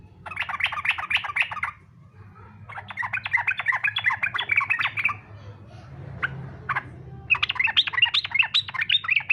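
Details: Fighter-style yellow-vented bulbul song, used as a lure for other bulbuls: repeated long bursts of rapid, chattering, bubbling notes, with a quiet gap holding a couple of isolated sharp notes in the middle.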